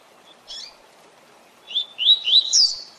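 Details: Double-collared seedeater singing the "Tui Tui Zel Zel" song used to train captive birds. A brief high note opens, then after a pause come three slurred, rising whistles that sweep up to a higher ending.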